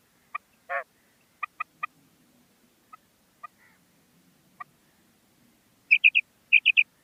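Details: Female common quail calling: scattered short harmonic clucking notes, then two quick bursts of three clipped, bright notes near the end, set against near silence.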